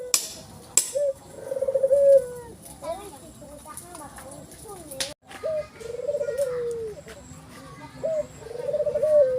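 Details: Ivory-white collared dove with a black neck ring giving soft, low, rolling coos in repeated phrases, each a brief rise then a longer wavering note, with human speech in the background.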